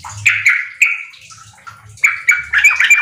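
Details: Sooty-headed bulbul singing vigorously, used as a lure to get raw caged birds kept together to start singing in riwik and ropel style. Short bursts of bubbly chirped notes, then a pause and a denser warbled run.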